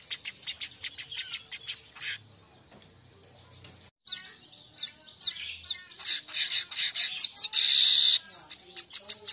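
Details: Streaked weaver singing on a lure recording meant to make birds sing: busy high chattering and ticking notes, a short gap, then more excited chatter ending in a loud, drawn-out sizzling buzz.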